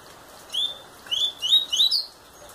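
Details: Song of an eight-month-old double-collared seedeater: one clear rising whistle, a pause, then a quicker run of three or four climbing slurred notes.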